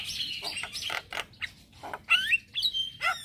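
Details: Male black-winged starling singing in the morning as a lure and tutor song: scratchy harsh bursts followed by sharp, squeaky whistled notes.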